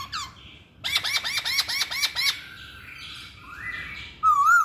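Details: Masked laughingthrush song opens with a short whistle, then a burst of about eight loud, looping notes. A softer warbling passage follows, then a rising whistle and a clear, wavering whistled ending.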